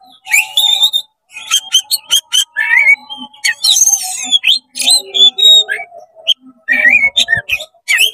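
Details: Oriental magpie-robin in quick, heated 'konslet' singing, tail open, to stir up rival magpie-robins: rapid chips and whistled slurs broken by a burst of rough, buzzy chatter, with a faint low hum throughout.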